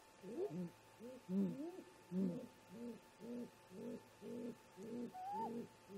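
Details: Great grey owls, two parents meeting at their nest early on a July morning, around 04:25 MDT. They give a long run of low, evenly spaced hoots about every 0.6 seconds, the first few rougher and louder, with one higher drawn-out whistle near the end.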